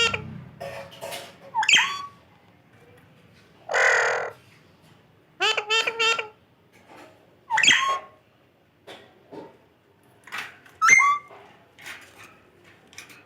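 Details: Talking pet parrot in a small room: a varied mix of sharp whistled chirps, a broad harsh squawk, and a run of harmonic, speech-like syllables, spread out with short silences.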